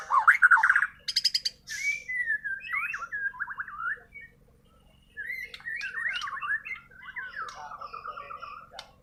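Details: White-rumped shama of Borneo singing naturally, untutored: a loud warbled opening, then a harsh buzz, then long flowing whistled phrases rising and falling, ending in softer quavering notes.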